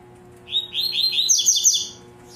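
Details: Captive double-collared seedeater, tui-tui zel-zel song style, 5 December, 8 a.m.: a dense two-second burst of fast high chattering notes climbing into a sharp buzzy trill, steady electrical hum behind.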